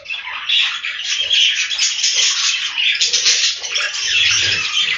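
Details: Budgerigars kept in a breeding room, their massed chatter forming a steady, hissy wall of fast chirps and warbles with no pauses, plus a few soft low knocks.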